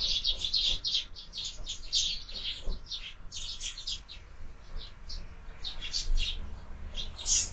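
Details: Morning sparrows gathered at a feeder fixed to a window, chirping densely and excitedly in rapid bursts of sharp tweets, pausing briefly near the middle before resuming, over a faint low hum.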